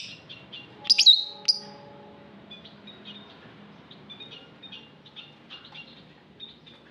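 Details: Aviary lovebirds give a burst of loud sharp squeaky chirps early on, followed by many faint high twittering notes in quick series over a low background hum.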